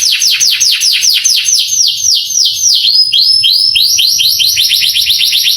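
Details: Canary song for exciting young canaries; a run of quick descending whistled notes that gradually slows, then flows into a faster series of rising, looping phrases.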